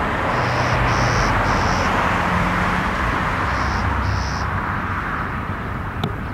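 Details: A Clay-colored sparrow feeding up in trees in Toronto, Ontario, on a late afternoon of 6 May 2022 sings flat, high, insect-like buzzes, three then two, each about half a second, over a steady roar of traffic.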